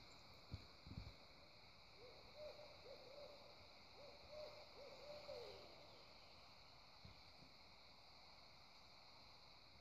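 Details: Two owls of unknown species hoot back and forth, one near and one farther away, at Prettyboy Reservoir on 19 July 2018: runs of soft, wavering hoots in short repeated bursts against a steady insect hum and a few low thumps.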